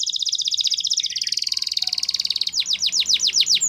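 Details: Russian canary delivering a long, dense, rapid trill, then switching to a series of sharp descending whistled sweeps, with faint background hum.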